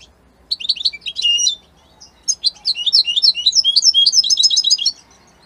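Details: European goldfinch of Italian type, described as one of its strongest and most beautiful songs: a short twittering phrase, a pause, then a fast run of high tinkling, buzzy and chirping notes repeated rapidly with no other sounds.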